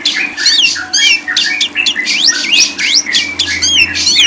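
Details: Lovebird song in a dense, fast stream of squeaky chirps, with rising and falling slurred notes and short harsh squawks that follow one another almost without pause over a faint low steady hum.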